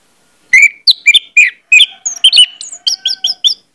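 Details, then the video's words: Orange-headed thrush song used as a lure to get other thrushes singing loudly: a fast run of bright, slurred whistled notes, then a quick series of five short sharp chirps, with a faint low steady tone underneath. "pancingan anis merah bikin cepat ngeplong"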